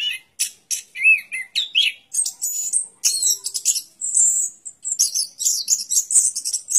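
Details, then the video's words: An orange-headed thrush sings a fast medley of high chirps, short rolling phrases and sustained piercing notes, almost continuous with only short breaks. "Suara Burung Anis Kembang"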